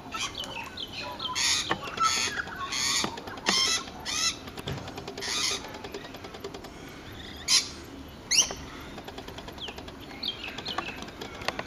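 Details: Rainbow lorikeet giving harsh broadband screeches in bursts, several loud shrieks in the first five seconds, then scattered sharp squawks and faint high chatter, with clicks and light background noise.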